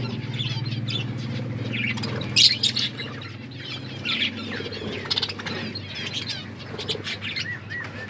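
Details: Pet budgerigars chirping while eating: bursts of bright, quick chirps and twittering notes, some louder squeaky peaks, over a steady low hum.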